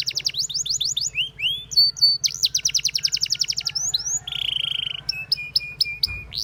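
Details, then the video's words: Singing canary in a rapid, varied medley: quick descending chirp series, a short whistled phrase, a dense rolling trill, a sustained buzzy note, then spaced high whistles. "The Singing Canary Tempts All The Canaries to Chirp"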